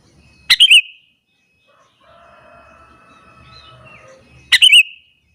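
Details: Sooty-headed bulbul singing in the morning to rile other bulbuls: two short bubbly chirped phrases four seconds apart, with a faint distant crowing-like call between them.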